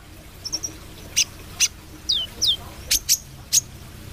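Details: Actively singing brown-throated sunbird in mottled 'trotol' plumage. Faint high ticks are followed by bright, shrill chips and two steeply falling whistled slurs, delivered in quick irregular bursts against a quiet background.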